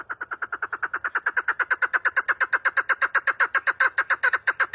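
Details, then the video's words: Chukar partridge calling in a fast, steady run of harsh clucking notes, about six per second, loud and even throughout with no pause. "Keklik Sesi"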